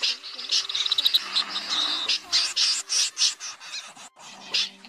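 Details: Common snipe call played for night net-trapping in August 2024, meant to draw flocks in: harsh, rasping scaap calls in short bursts about every second, over a steady high insect chorus and a faint low electrical hum.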